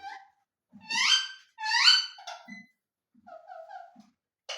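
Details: ['Ring-necked parakeet indoors: two loud, strained, upward-sweeping squawky syllables, then softer short nasal notes and a few quiet murmured sounds, ending on a sharp abrupt note.']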